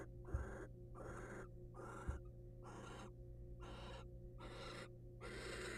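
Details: Slow, wheezing hisses roughly every second from wild barn owls inside a nest box as the male hands a mouse to the female, with two faint taps and a low electrical hum.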